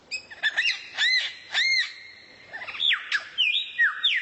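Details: Rare bird singing as tutor material for kacer: repeated arching whistled notes in quick clusters, a short quiet gap, then swooping falling and rising whistles.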